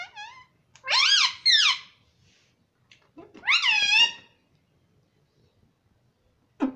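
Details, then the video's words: Pet parrot talking indoors, imitating the word "mummy": two loud, harmonic, nasal two-part phrases, each rising then falling, about two seconds apart, with a short call at the start and one at the end in a quiet room. "Talking parrot"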